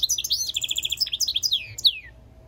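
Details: European goldfinch mule singing: rapid, varied high twittering with a quick run of repeated bright notes, then a sharp slurred note that sweeps downward to close.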